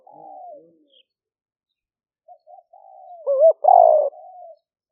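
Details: Smartphone recording of a spotted dove calling liu fueang style in rainy-season paddy near Tao Lek, Roi Et, Thailand, 2021; soft drawn coos, then a wavy note and a loud buzzy descending croo tailing into a quieter coo.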